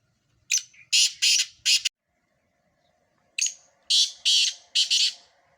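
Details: Sindhi black francolin in a four-bird calling competition, giving two full sequences: each a short note followed by three harsh scratchy phrases, separated by a second and a half of silence.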